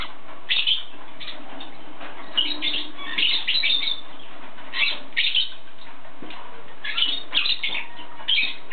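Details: Yellow-sided conure producing a series of short, grating squawks and chatters in irregular bursts, spaced roughly every half second to a second. A constant low background hum runs beneath them.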